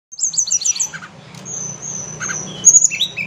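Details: Blood-breasted flowerpecker (tledekan gunung), said to answer in the morning and afternoon: quick series of very high, thin descending notes, then a long high whistle and sharp ticks, with a low hum underneath.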